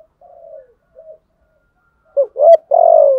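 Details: Spotted dove's fighting coo ('gù đấu') to challenge rivals: faint soft murmured notes, then two quick loud hollow coos leading into a long, slowly falling coo. No other sounds.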